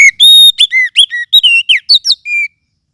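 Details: Oriental magpie-robin of the forest, a lure sound also used as a tutor for other birds: a rapid series of about ten piercing whistles, some flat and some slurred, ending in a steady whistle.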